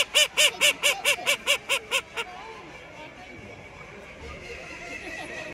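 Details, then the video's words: A call duck at a champion waterfowl exhibition gives about ten loud, nasal, high-pitched quacks in a rapid run that fades toward the end, then stops over a low murmur of indoor background noise. "Call Duck calling"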